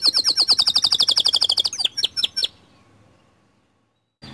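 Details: White canary singing a lure song meant to spur other canaries into song: a fast, even trill of high repeated notes for under two seconds, then a few looser chirps and silence.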